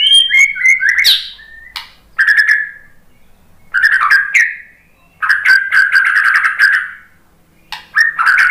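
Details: White-rumped shama (murai batu) singing in response to a lure recording; loud, varied bursts of whistled and harsh notes around the middle pitches, delivered in phrases separated by short pauses.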